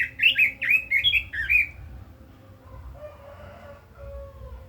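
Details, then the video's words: Red-billed leiothrix opens with a brisk run of five bright warbled notes, after which only faint lower hums and murmurs remain. "Chim Quế Lâm kích giọng hay, căng lửa - Burung Robin Gacor | Chim Kim Oanh Mỏ Đỏ"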